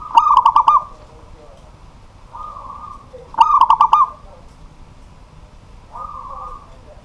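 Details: Zebra dove of the local type, kept as a cage bird, calling at night: two bursts of quick staccato coos, each followed by a softer, smooth, level coo a couple of seconds later.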